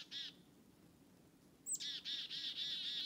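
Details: Black-capped chickadee following people through the forest: one buzzy note, a pause, a thin high note, then a steady run of five or six hoarse 'dee' notes, about four each second.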